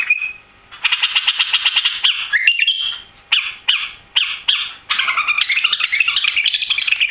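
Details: Newly arrived White-eared bulbul (Pycnonotus leucotis), missing its tail after travel, sings a fast, harsh chattering run of repeated notes with a few clipped gaps, then bubbly warbled phrases rising and falling.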